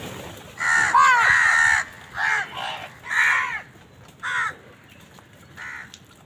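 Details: Crows competing with wild birds for food give a long drawn-out harsh caw followed by four shorter raspy caws, loud and close, with low background hiss.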